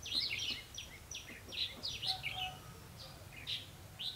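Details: Red-whiskered bulbul decoy bird used in trapping, 28 October 2016; busy, loud sequence of bright chirped and slurred whistles, several notes each second, with another bird calling faintly in the background.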